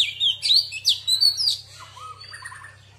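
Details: A female Oriental magpie-robin sings in the wild-voice style used to excite males, giving a quick series of sharp, sweeping whistles for about a second and a half. Softer, lower warbled notes trail off afterward.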